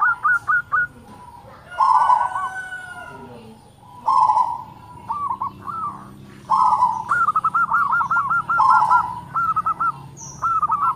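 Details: Zebra dove, local type, loud voice and tight notes: a few staccato notes, then long rolling coos, followed later by a fast even run of about ten short notes and more clipped phrases.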